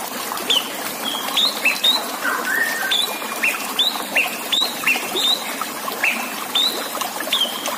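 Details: Song-contest master of a white-rumped shama with water sounds: a rapid series of short, bright, upward-flicked whistles, broken by one lower buzzy phrase, over constant trickling water.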